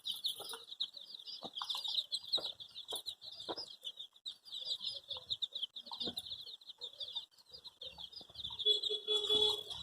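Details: Baby chicks with coloured feathers chirping as they look for their mother; many overlapping high peeps in a steady chorus, with occasional knocks and taps in the background.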